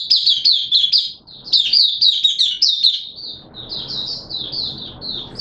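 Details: Caged oriental white-eye singing its opening song in wet weather, 6 September 2022: a loud, fast stream of high sweet chirps and trills that softens into lighter, evenly spaced twitters toward the end.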